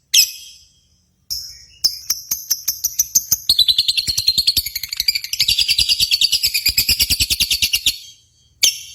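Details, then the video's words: Competition lovebird sounds, meant to excite lovebirds at home: scattered sharp chirps that build into a long, dense, rapid trill of shrill notes before a pause and a final burst. "SIMULASI BURUNG LOVEBIRD"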